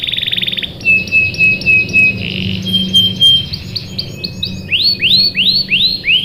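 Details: Lively canary song, 'cuit cuit', for prompting young canaries to join in: a short buzz, level whistled notes, a soft roll, then loud upswept notes repeated about twice a second.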